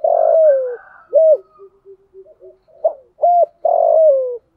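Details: Cooing of a decoy spotted dove, delivered to lure wild doves during windy rainy weather. Long sliding coos that drop in pitch frame short hollow coos and quiet low notes.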